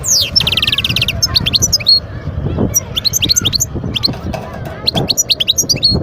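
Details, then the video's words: Wild goldfinch singing in Guerbaz, Skikda province, Algeria, 2022. It opens with a fast buzzy trill, then runs into lively tinkling twitters and chirps that come in quick clusters, over soft low background noise. "صوت الحسون البري"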